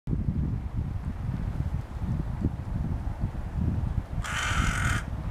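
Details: A Hooded Crow (Corvus corone cornix) foraging at a puddle in Helsinki, Finland, in April 2013, gives a single harsh, rasping caw lasting under a second, over a steady low rumble of wind.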